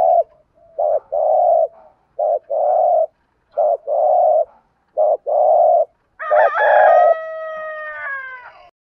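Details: Decoy spotted dove giving urging coos in the morning to call its flock. Four paired coos repeat about every 1.4 seconds: a clipped note, then a longer mellow one. A harsher, richer drawn-out call follows at the end.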